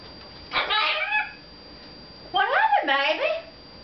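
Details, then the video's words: Pet red-fronted macaw indoors talking to its owner, who is in the bathroom, in two short, harmonic, speech-like bursts with rising and falling pitch in a quiet room. "red fronted macaw talking"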